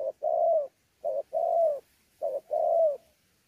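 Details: Wild-caught spotted dove, Sa Thầy, Kon Tum, Vietnam, 26 November 2019, in pha đấu cooing with gù: three phrases, each a brief double note followed by a long, smooth, slightly falling coo, separated by short pauses.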